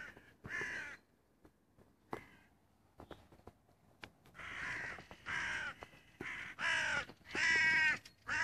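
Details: A crow recorded 25 June 2017, a few hoarse caws early, then a rapid run of harsh, harmonic caws about once a second in the second half, with scattered clicks between.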